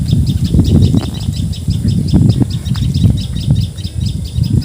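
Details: Common tailorbird, known in Assamese as patxhia sorai or tiposi sorai, calling in Assam, India: a fast run of sharp, high, evenly repeated chip notes, about four a second, over heavy low rumbling background noise.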